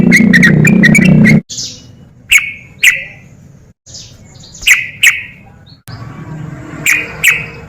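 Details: Yellow-vented bulbul in fast 'ropel' style, used to provoke lazy birds into singing. Opens with a rapid chattering volley over loud low rumble, then clear ringing notes in pairs with breaks between.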